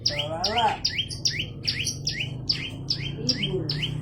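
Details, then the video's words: Persistently singing olive-backed tailorbird giving a rapid series of piercing two-tone notes, high then falling lower, about three per second, with a lower rising-and-falling warble near the start and end. "Burung prenjak lumut gacor"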